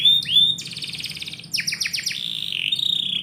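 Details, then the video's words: Indoor canary in morning song, a brief whistled slur followed by a dense buzzing trill, then rapid falling notes and a wavering high warble. "KICAU BURUNG KENARI - DIPAGI HARI DALAM RUMAH"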